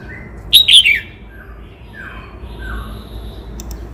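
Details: Cao Bằng red-whiskered bulbul giving one brisk, loud, warbled phrase of tumbling notes. Faint, gliding whistles from other birds follow in the background.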